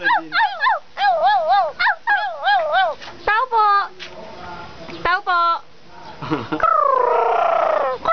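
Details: Crow, also called raven, talking to its owner: a run of short, nasal, wavering tones that rise and fall in quick succession, then a few clipped notes and a longer drawn-out warbling sound, all with brief pauses between.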